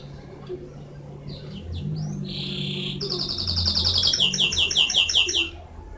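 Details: Canary song in a strong whistled stream: a sustained high whistle, then rapid trilled rolls of repeated notes pulsing several times a second, ending after about five seconds; faint low hum beneath.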